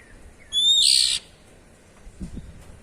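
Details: One loud 'cier' from an Oriental magpie-robin, ngeplong style: a brief pure whistle sliding into a rasping, hissing burst lasting about half a second, followed by quiet and a couple of soft low knocks.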